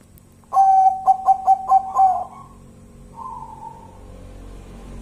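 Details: After a quiet start, a local zebra dove gives six fast, pure, evenly spaced coo notes ending in a sustained tone, then a softer, breathier call, over low background hum.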